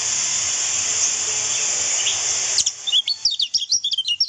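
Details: Training recording of lemon-bellied white-eye song: steady hiss for about two and a half seconds, then a short burst of quick, thin, high twittering notes.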